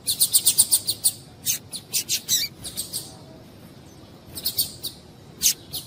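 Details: Female double-collared seedeater chipping to warm up a male and get him singing; a fast series of bright, high, clipped notes, then looser chips, a quiet gap, and a few more sharp calls near the end.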